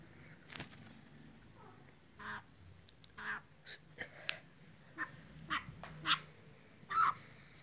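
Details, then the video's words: A male black francolin calls his mate with a string of harsh, rasping notes and scratchy bursts, irregularly spaced, amid clicks and low background rumble. "Black Teetar(Black francolin)Calling His Mate | teetar bird voice"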